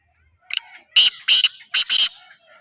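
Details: A black francolin, one of three birds present, gives a loud, harsh call of five grating notes in quick succession, the last two closely paired, over silence.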